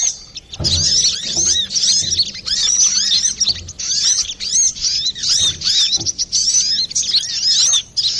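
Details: Brown-throated sunbird in busy, clear-voiced song, a recording used to lure birds or to coax silent cagebirds into singing; dense high, thin twittering of quick rising and falling notes in rapid bursts, broken by brief pauses and faint low thumps.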